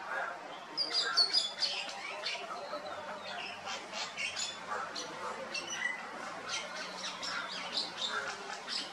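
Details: Streaked laughingthrush in Kashmir in October 2021; rapid, irregular bursts of short, sharp, high chirps and clicks, with some louder squawky notes early on.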